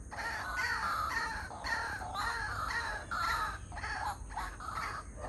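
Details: White-breasted waterhen pair chattering at 6:59 in the morning: harsh, croaking calls repeated in uneven bursts, overlapping one another, over a constant steady hiss and a high background whine.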